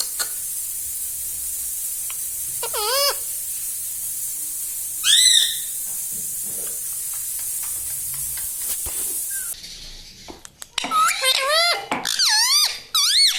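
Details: Pet parrot at home making scattered swooping harmonic calls amid hiss, then a rapid burst of wavering, rising-and-falling vocal phrases near the end.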